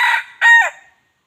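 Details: Wild junglefowl crowing as a lure to draw other junglefowl in: a cut-off harsh burst, then a brief two-part crow of rough, hoarse notes falling at the end, with silence after.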